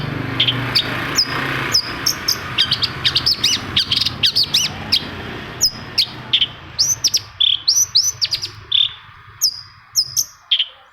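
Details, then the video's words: Long-tailed shrike song, used as a lure to prompt quiet shrikes into singing: a fast, busy run of sharp chirps and short rising and falling whistled notes, high-pitched and tightly packed, with a low hum underneath early on. "UNTUK MEMANCING CENDET PENDIAM YANG LAGI MALAS BUNYI"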